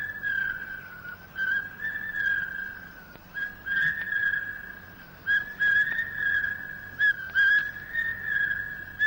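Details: Two Large Hawk-Cuckoos vying with one another in pitch darkness deep in Malaya's highland jungle, recorded late 1950s to early 1960s, trade loud, shrill whistled phrases rising in scale, overlapping almost without pause, over faint background hiss.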